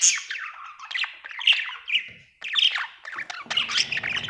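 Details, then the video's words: Happy budgerigar chirping in a continuous scratchy chatter of squeaky, slurred chirps and short squawks, with a low rumble near the end. "Happy budgie chirping sound"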